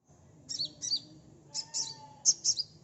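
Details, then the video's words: Sunbird song used as a lure for a quick reply. Three pairs of buzzy, high, slurred chirps, each pair a rapid double, come at roughly one-second intervals over a soft steady hum. "Suara asli kolibri pancing bahan cepat respon ngeplong"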